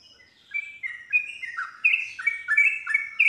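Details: Bulbul known locally as trucuk, the yellow-vented bulbul, sings to draw other bulbuls into responding and singing rapidly ('nropel'); after a quiet start come loud, bubbly, liquid whistled phrases, rising and falling, delivered in a quick unbroken stream.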